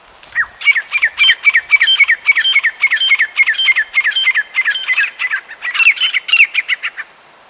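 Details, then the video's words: High-pitched call of the grey francolin from Pakistan, a cleanly recorded rapid series of sharp whistled notes, each falling in pitch. They repeat several times per second with an even, pulsing rhythm against a quiet background. "Grey Partridge | سنگلی آواز | Grey Francolin | Voice | High Pitch"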